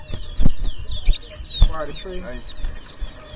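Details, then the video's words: Towa towa (chestnut-bellied seed finch) in a 2023 whistling competition at a bird ground in Edinburgh Village, Guyana: high, sliding whistled warbles in quick, overlapping phrases over low thumps and crowd noise. "TOWA TOWA BIRD WHISTLING COMPETITION"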